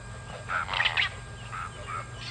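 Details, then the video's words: Pied crow calling at Kwa Maritane on 14 October 2021: a loud, hoarse, croaking burst of two or three rough notes, followed by softer grating calls, over a constant low hum. "Pied Crow calls"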